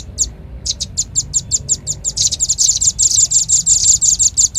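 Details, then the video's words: Velvet-fronted nuthatch lure call: one early chip, then a steadily building series of fast, high, sharp notes that merges into a dense chatter. "Suara pikat burung rambatan paling ampuh | rambatan paruh merah"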